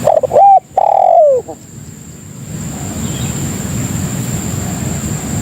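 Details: Spotted dove lure call for attracting other doves: one loud opening phrase of a short coo, a long downward-sliding coo and a brief final note, then only low rumble and a thin constant high whine.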